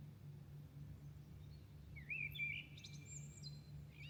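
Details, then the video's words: Birds singing at dawn in Milan: a bright whistled phrase that rises and warbles, then a higher run of thin, piercing notes near the end, over a steady low hum. "Singing night Milano birds at dawn"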